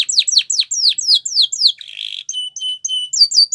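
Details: Spanish Timbrado canary song meant for training young canaries, opening with a quick series of falling whistled notes, then a brief buzzy rattle and sharp metallic clicking notes repeated in a steady beat.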